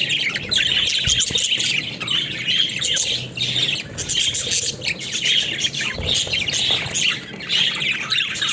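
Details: Flock of captive budgerigars playing in their cage; steady chattering of high squeaky chirps and warbles, with occasional louder squawks.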